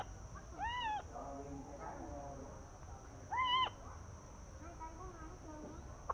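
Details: Captive green-billed malkoha, hand-raised from a nestling and kept several months, let outside to sunbathe, gives two short, arched, nasal calls about three seconds apart, with soft human voices murmuring in the background.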